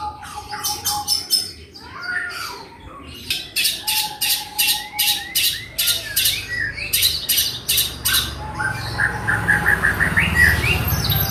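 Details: Javan long-tailed shrike singing imitations of other birds, long and repeated. Bursts of harsh squawking notes come in quick series and alternate with brief flat whistles, growing louder toward the end.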